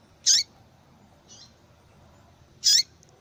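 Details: Female yellow-bellied seedeater calling persistently, used to stimulate singing in males: two sharp, high, bursting chips about two seconds apart, with a faint softer note between them, over a quiet low hum.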